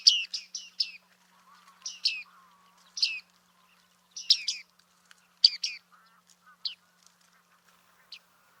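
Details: Bearded reedling at Liepāja, Latvia, July 2023: clusters of two or three sharp high chips, then scattered single notes fading toward the end, little background noise.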